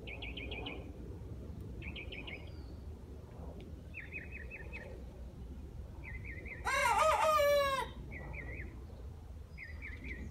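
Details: Young rooster, first thought to be a hen among four birds, gives a single loud, harsh crow lasting about a second, rising then falling, while small wild birds repeat short trilling chirps and a low rumble runs underneath.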